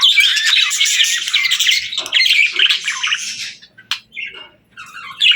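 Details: Parakeets sing and talk in a bright, tumbling warble of quick chirps. It thins after a few seconds into scattered short calls and brief quiet, then swells again.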